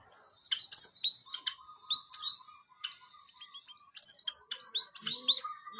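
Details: White-headed munia in lively song: quick high chirps, short upslurred whistled notes and clicks in irregular bursts, over a steady low buzzy tone running through the clip.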